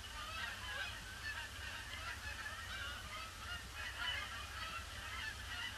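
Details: Large influx of Canada geese circling a pond before landing on a grey Boxing Day; a dense chorus of overlapping honks from many birds, swelling and fading, over low rumbling background noise.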